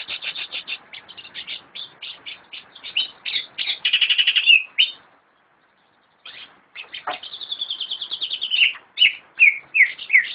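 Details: Greater green leafbird, kept as a cage bird, singing a loud varied song: rapid repeated chattering notes, then a long buzzy trill, a pause, and sweeping whistled phrases with rising and falling slurs.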